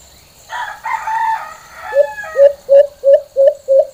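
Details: Alimokon, the white-eared brown dove, in its full normal calling style: a harsh, drawn-out harmonic sound opens, then six separate low hooted notes follow at a steady pace, each swelling and dropping.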